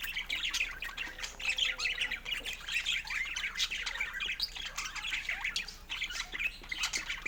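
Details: Pet budgerigar chatter: a continuous stream of buzzy warbles, squeaks and short chirps, densely packed and overlapping, with small rapid bursts of sound throughout and no pauses.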